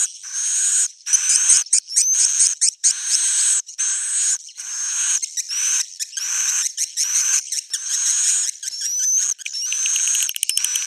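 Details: Swiftlet roosting sound (suara inap) used to draw birds in: long high, hissing buzzy trills broken by short gaps, overlaid with faint thin upslurred whistles throughout.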